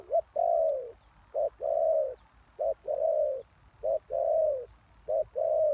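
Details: Spotted dove used as a lure for wild doves, giving low hollow coos: a short note followed by a longer, slightly falling croon, in pairs repeated roughly every 1.3 seconds, with faint high chirps in the background.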